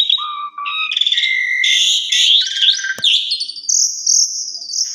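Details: Asian pied starling singing an afternoon lure that shows its fill repertoire for young birds to learn: an unbroken run of clear whistles at varied pitches, sliding upward notes, buzzy passages and a closing high drawn-out whistle.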